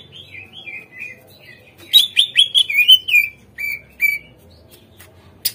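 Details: Greater green leafbird song serving as a lure for untrained caged birds to respond and sing: soft wavering whistles, then a loud run of rapid chirps and falling whistles, two single whistles, and a faint low hum.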